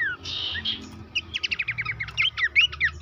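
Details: Horsfield's babbler, pelanduk semak, in lure audio for getting birds to sing: a buzzy opening phrase, then a rapid string of sharp chirps and rising whistled notes over a noticeable background hiss and low hum.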